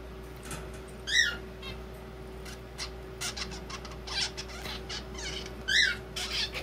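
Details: Zebra finch chick, sex unknown, practising its song, which sounds as if it is talking; two clear nasal rising notes stand out among faint, clumsy chattering syllables over a steady low hum.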